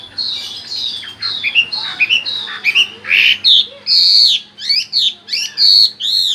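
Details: Chinese hwamei song mixing long high whistles with shorter sliding notes and harsh squeaky phrases, loud and varied, with a faint low hum behind.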